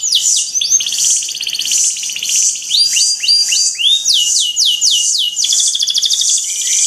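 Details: Training song from five singing canaries: bright whistled phrases alternating with fast buzzy rolls and repeated downward-slurred notes, several birds overlapping with steady high-pitched chatter.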